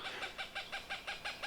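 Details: A female Cooper's hawk near her current nest in low-elevation riparian maple and scrub-oak forest of northern Utah gives a rapid run of harsh, nasal kak notes, about six per second, evenly spaced, steady in pitch.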